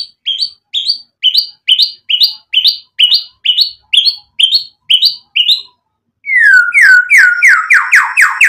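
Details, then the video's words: White-rumped shama with a varied imitative song, used to provoke a reply: a dozen evenly spaced two-part chirps, a pause, then a quick series of loud sweeping notes. "MURAI BATU GACOR memancing EMOSI bikin NYAUT ikut BUNYI"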